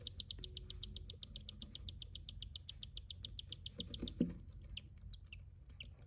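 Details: Cockatiel chicks beg while being fed, a fast, steady run of high, raspy chirping pulses.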